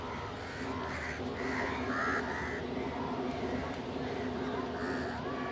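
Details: Crows feeding as a group beside pigeons; a run of rough, drawn-out caws in the first half, then quieter calls near the end, all over persistent steady background hum.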